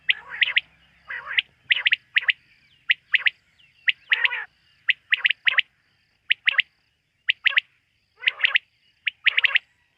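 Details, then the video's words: Quail calling through the night: a long run of crisp, high, clipped notes in groups of two to four, repeating about once a second, with a faint low hum at the very start. "Bater ki rat wali awaz ۔۔quail sound of night"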